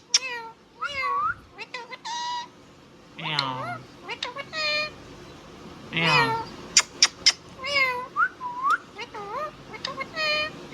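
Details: Indian ringneck parrot talking: a rapid run of speech-like, harmonic syllables with bending, wavering pitch, some rising and falling like words, broken by sharp clicks and short high squeaks, in a quiet indoor setting.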